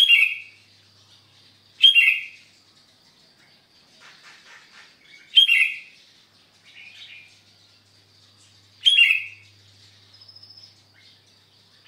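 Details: Sunday-morning song of a gacor sooty-headed bulbul at Sukanegeri, OKU Timur: four strong, bubbly phrases spaced about three to four seconds apart, with quieter twittering and a thin high trill between them.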